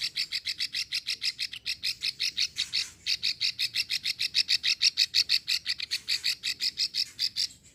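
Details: Extended klik series by a female plain prinia (prenjak sawah), Ulujami, Central Java, used to attract males: about forty quick, high ticking notes with one brief break near the third second.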